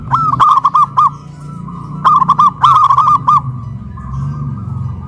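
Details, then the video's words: Caged local zebra doves in Kuningan, West Java, Indonesia, cooing loudly after being hoisted up a pole; big-voiced and crystal-voiced birds compared. Three bursts of rapid, ringing staccato coos, four to six notes each, over a low background rumble. "PERKUTUT LOKAL SUARA BESAR VS SUARA KRISTAL"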